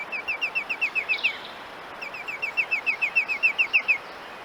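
A titmouse gives two quick runs of short, slurred, bright notes, about eight a second, with an oddly electronic, mechanical ring. Faint outdoor hum sits underneath.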